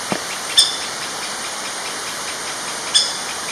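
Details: Sharp, high single calls from a young female Orange-backed Woodpecker (Reinwardtipicus validus xanthopygius), two notes about two seconds apart, recorded along primary jungle in Kledang-Sayong Forest Reserve, Perak, Malaysia, in December 2016, with loud buzzing insects throughout.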